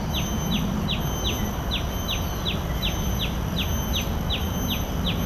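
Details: A common tailorbird at Bidadari, Singapore, gives sharp, high downslurred chips, about two and a half a second, over steady low rumble and a thin constant whine.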